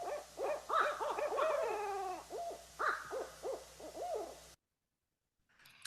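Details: A pair of Barred Owls talking to each other duets in a wild jumble of hoots, cackles and rising-falling caterwauls, overlapping for over four seconds before breaking off abruptly.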